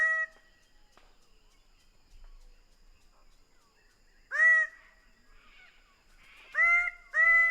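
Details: Greater bird-of-paradise calling after a long quiet stretch: a single loud nasal honk, then two more harsh honks in quick succession near the end, each rich in harmonics and slightly rising at the start.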